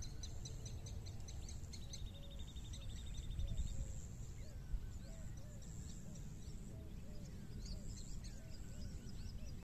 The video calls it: Greater coucal